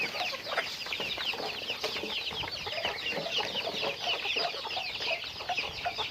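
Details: Chickens during everyday activity, making an unbroken wash of thin, high chirping from many birds at once, with faint lower clucks mixed underneath.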